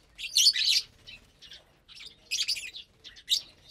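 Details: Lovebirds feeding together on a Saturday morning, 30 April 2022, eating vegetables and seeds: bursts of shrill, scratchy chirps in short clusters, separated by brief quieter gaps with softer twitters.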